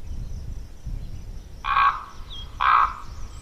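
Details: Young common ravens in the Côtes d'Armor, France: two harsh, hoarse croaking calls about a second apart, each a short broad rasping burst, after a low rumbling background.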